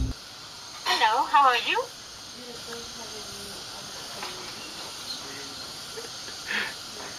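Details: A common hill myna (Gracula religiosa) imitates human speech such as "namaste, how are you, good morning": a second-long burst of wavering, voice-like syllables, then a few faint, scattered notes over a steady background hiss.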